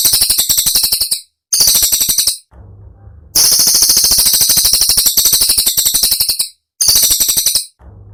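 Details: Cililin song as a training recording for songbirds such as magpie robins, in the sharp, dense 'tembakan' style: very high, buzzy rapid-fire trills in bursts of about one second, separated by short gaps carrying a low hum.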